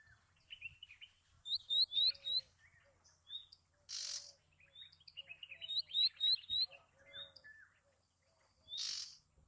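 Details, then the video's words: Bay-backed shrike song: rapid runs of sharp, downslurred high chirps in bursts, with soft low whistles underneath and two loud harsh rasping notes set apart. "Bay Backed Shrike Sound ! Bay Backed Shrike Call ! Bay Backed Shrike Song ! Bay Backed Shrike Vocals"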